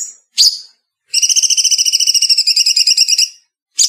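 A bulbul gives a fast, tight trill of bright whistled notes, about eleven per second for two seconds, framed by short harsh chirps.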